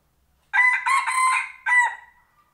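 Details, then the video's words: Rooster crowing at home: a loud harsh crow in four rising and falling segments over about two seconds, the last part trailing off, with no other sounds around it. "tso qaib dib qua"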